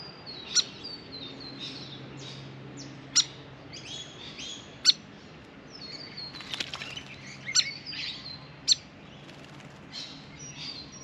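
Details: Restless grey fantail at a birdbath, fluffed up after a long bath, giving sharp high chips and short squeaky notes at irregular intervals of one to three seconds. Faint rustling is heard between calls.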